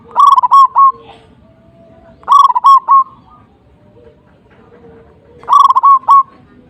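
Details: Zebra dove singing to provoke a rival: three loud, rolling coo phrases of fast stuttered notes, roughly every two to three seconds, with soft, thin background whistles between them.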